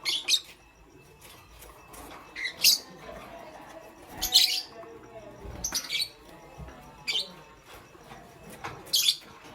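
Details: Pastel gray and green lovebirds in the morning giving sharp, high, scratchy chirps in short bursts roughly every one to two seconds. A loud pair of chirps opens the passage, with faint low rumble underneath.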